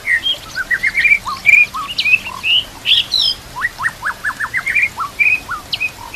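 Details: Shama song used to train other birds, with kapas tembak and canary phrases: whistled slurs and chirps, then a steady run of short, evenly spaced dropping notes, lively and rhythmic.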